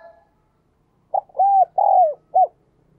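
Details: Spotted dove cooing in the 'đồng kim' voice style, also called 'đồng chuông' (bell voice): a phrase of four hollow, mellow coos, short, long, long, short, each arching up then down, delivered within about one and a half seconds.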